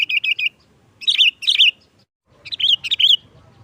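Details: Sooty-headed bulbul giving sharp 'nggaruda' style song used to lure bulbuls for trapping; clusters of two to four loud, rolling whistled notes separated by brief silences.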